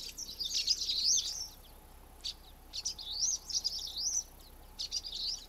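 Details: Contact calls and song from a flock of common waxbills, with two long wavering, buzzy high phrases rising and falling in pitch, each followed by sharp short chips, against a quiet hissy background.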